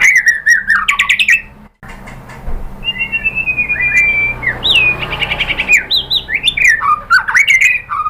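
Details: White-rumped shama song to get captive birds singing: rich whistled phrases with quick trills, a brief pause, then a drawn-out descending whistle and a lively run of varied, swooping notes.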